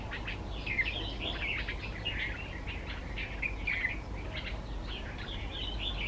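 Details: Red-vented bulbul singing from a bed of wildflowers on a short birding trip: a run of short bubbly chirping notes, steadily repeated over a constant low rumble of background noise.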